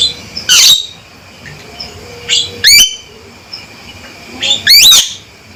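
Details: Male Javan myna giving loud, sharp calls: three harsh bursts of stepped, rising whistled notes, roughly every two seconds, with quiet pauses between.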